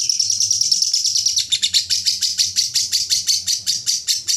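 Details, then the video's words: Lovebird ngekek, the long chatter prized in song contests: a fast unbroken string of high, buzzy chirps, steady for the first second and a half, then breaking into distinct pulses about six per second. "Love bird ngekek panjang juara full isian"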